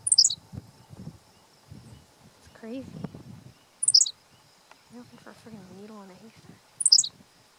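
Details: A Henslow's sparrow, singing from the ground and out of view, gives its brief, high, hiccuping two-note song about every three seconds, SGL 100, Pennsylvania, 1 June 2015, while a person talks quietly.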